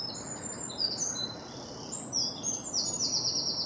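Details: A few northern lapwings at Goldcliff in poor weather give high, wheezy, slurred calls that overlap, ending in a quick run of repeated thin notes, over a steady low background hiss.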